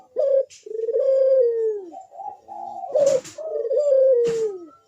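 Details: Spotted dove, kept as a singing bird, giving loud deep coos: a long drawn note sliding slightly downward, repeated in a phrase with short higher notes between, some rustling clicks.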